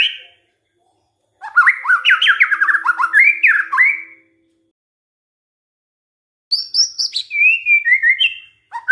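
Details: White-rumped shama singing on a lure recording intended to trigger other shamas to sing: two bursts of varied chattering, slurred phrases separated by several seconds of silence, the second burst pitched higher.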